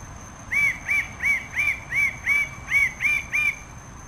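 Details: Rapid series of nine loud, ringing, upslurred notes from a red bird-of-paradise, about three per second, with a steady high-pitched whine continuing behind them.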